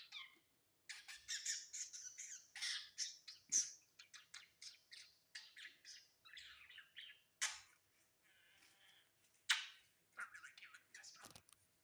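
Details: Male pet budgerigar sitting on his new perch, chattering softly in a long run of scratchy, clicking and warbling notes, with occasional sharper chirps.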